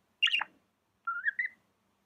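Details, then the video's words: Pet budgie with a single sharp chirp followed after a pause by a soft, rising, whistled warble. "Amazing budgie chirping sounds"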